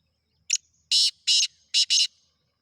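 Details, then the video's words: Black francolin call: a short sharp note followed by four harsh, buzzy, grating syllables, the last two closely paired, in otherwise silent surroundings. "Khasar Teetar Chakri wala Teetar"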